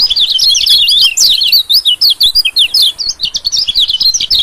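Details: Continuous fast twittering from a white-eye, used as a lure to attract small birds, with bright high chirps rising and falling nonstop.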